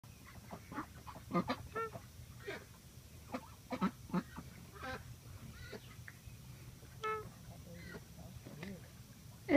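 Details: Female Embden gosling honking softly while falling in and out of sleep; brief, quiet nasal honks scattered irregularly, some with faint harmonics, over a low background hum.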